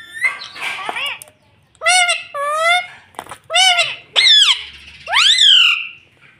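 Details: Talking rose-ringed parakeet, kept as a pet, repeating "mummy" in nasal, harmonic, two-syllable phrases, each dipping then rising. The phrases come several times in a row, ending with a longer rising squawk-like call.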